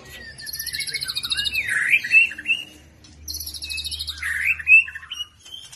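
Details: Speckled juvenile white-rumped shama singing with cerucuk mimicry: two similar phrases, each a high buzzy trill ending in a rising, bubbling whistle, about three seconds apart, over a soft low hum.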